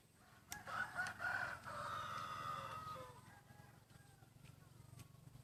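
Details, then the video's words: F2 cross rooster, half red junglefowl, black feathers tinged red, still moulting and with a slightly altering voice, crows for about two and a half seconds: sharp start, a long harmonic note gently falling, over a steady low hum. "Red Jungle Fowl50% Beautiful"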